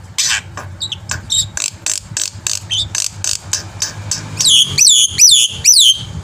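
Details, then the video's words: Black-winged myna song recorded to encourage birds to sing: a long series of short sharp chips at a steady pace, closing with several loud, clear, down-slurred whistled notes. "suara masteran burung jalak putih gacor full isian AMPUH untuk memancing bunyi"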